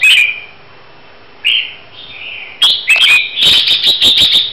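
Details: A red-whiskered bulbul of the Huế type being readied for a song contest sings bright, liquid whistled phrases, first in short separated bursts, then a quick run of chirpy notes near the end.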